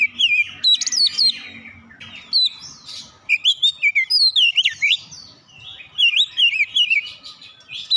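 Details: Oriental magpie-robin delivering mimicked gelatik batu song: dense sequences of sliding, rising and falling whistles and chattering notes, delivered in fast bursts separated by brief gaps, with a soft low background hum.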